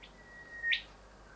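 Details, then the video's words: Male Rufous Whistler singing at a house window where he admires his reflection: a long, thin, level whistle that snaps upward into a sharp whip-crack at the end. "The Rufous Whistler"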